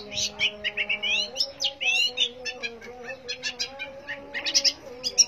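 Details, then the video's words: Long-tailed shrike singing a fast jumble of scratchy chirps and slurred whistles, dense at first, then sparser bursts of high notes, over a faint low droning background. "cendet gacor manteb banget"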